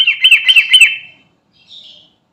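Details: Sooty-headed bulbul of the Garuda type calling to companions: a quick string of five rough, bouncing notes within a second, then a faint, softer note trailing after a pause.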